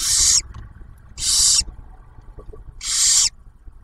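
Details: At a barn owl nest near Oak Harbor, Ohio, the male brings food while the female feeds the first owlet; three loud, rasping hisses of under half a second each, separated by quiet gaps of about a second.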